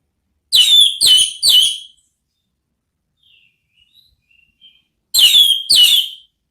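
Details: Orange-headed thrush in the ngeplong style, a therapy song meant to lure other thrushes into answering: three loud, clear whistled notes in quick succession, a pause with faint soft notes, then two more ringing whistles.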